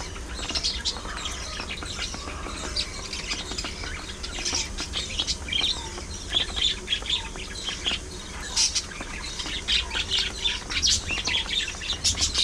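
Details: Several pet budgerigars warbling and chattering as they play, squabble and preen: long continuous high twittering with squeaky chirps and scratchy notes, growing busier in the second half, over faint low hum.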